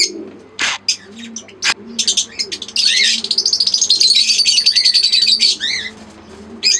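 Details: Fischer's lovebirds, green and albino red-eyed pairs, give scattered high squeaks, then a long rapid run of pulsed, ringing chatter lasting several seconds, with gentle low cooing behind.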